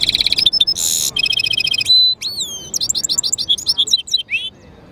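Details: Goldfinch-canary mule in full song: a fast rattling trill, a loud harsh buzz, more metallic trills, then sweeping whistled slurs and quick twittering notes repeated several times a second.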